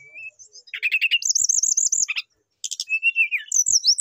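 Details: Brown-chested jungle flycatcher in full song, calling a rival with a varied, phrase-filled delivery: a thin whistle, a buzzy trill, a rapid wavering warble, a brief pause, then sliding whistled phrases.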